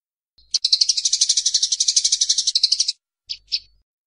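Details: Fighting Eurasian tree sparrows (burung gereja tarung) give a sustained harsh, buzzy chatter of fast repeated notes for over two seconds, followed by two short separate chirps.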